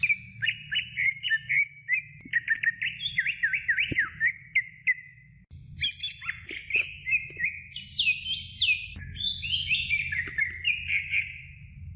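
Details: Training song of a greater green leafbird for teaching other birds: quick wavering whistled phrases, then higher sliding notes and twittering runs, over a constant low background hum.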